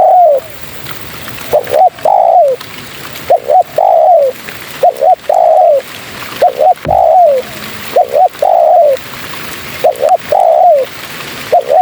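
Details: Spotted dove female calling males, giving a steady run of mellow coos: short clipped notes, then a longer falling coo, the phrases repeated roughly every one and a half seconds.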